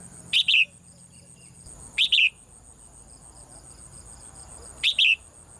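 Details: A caged female bird, which sings every morning, gives three quick double chirps, high and bright, spaced a couple of seconds apart, over a steady thin high-pitched whine.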